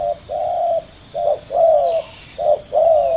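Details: Spotted dove males facing off fiercely at a ground decoy: soft low coo phrases, a brief note followed by a long level crooo, three sets in three seconds, faint bird chirp in between.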